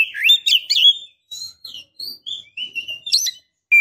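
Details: Breeding female Oriental magpie-robin calling a male: quick rising and falling whistled chirps, then a string of short separated whistles and twitters about twice per second, ending in a brief high note.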